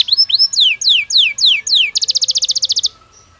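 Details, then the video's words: Belgian canary, natural song as a daily training stimulus: slow, looping downward-slurred whistles about four per second, switching to a tight rattle of quick high pulses before stopping. "Som de 1 Hora com Canario Belga Cantando Naturalmente – Ideal Para Estímulo Diário"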